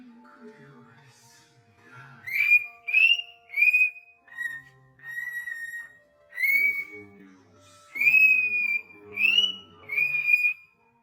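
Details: A cockatiel whistles a series of clear, sliding notes, some rising and some held level, in a recording presented as slow motion.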